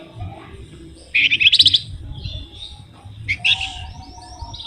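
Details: Songbird-luring flamboyan delivering two quick bursts of dense, sharp trilled notes, separated by quieter twittering, with faint low rumble behind.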